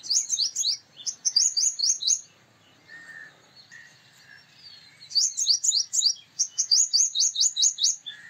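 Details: Male purple sunbird giving two bursts of high, sharp, rising metallic notes repeated fast, with a quiet pause between them holding faint softer chirps.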